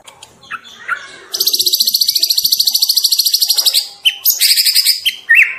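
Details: Juvenile white-rumped shama singing often: soft scattered notes, then a loud, rapid, steady trill lasting over two seconds, followed by sharp upswept whistles and short buzzy bursts.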